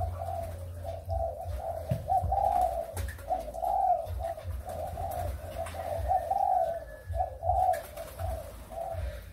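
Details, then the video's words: Malaysian and Thai breeding spotted doves, 23 August 2021, coo almost without pause, repeating rounded low notes in a rolling series over a constant deep hum and a few clicks. "cu gáy sinh sản malaysia và thailand"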